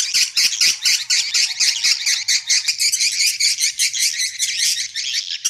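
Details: Roosting call of swiftlets, played in a three-storey swiftlet house to lure birds to roost: a continuous high chattering with rhythmic, buzzy pulses about every tenth of a second, rising and falling slightly in loudness.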